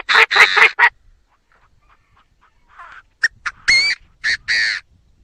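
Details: Loud, rough bursts open the recording, followed by quiet scratchy notes. A francolin-type phrase follows: brief sharp notes, then long, harsh, upward-inflected grating syllables.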